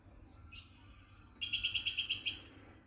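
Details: An occasional visiting red-winged parrot, being hand-offered food, gives a brief harsh note, then a fast, high, metallic chatter of about eight pulses in one second over a faint low rumble.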